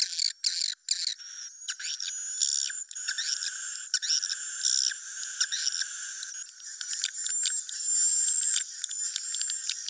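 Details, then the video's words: Swiftlets in a roosting lure recording of good quality, giving continuous chattering twitter broken by bursts of clicks, over a sustained, thin, high whistled tone. "suara inap burung walet berkuilitas bagus"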